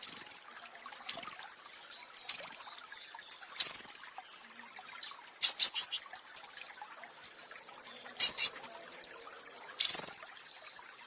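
A flowerpecker gives very high, thin, sharp ticking bursts, each under a second long, about once a second, with a faint trickle of background noise.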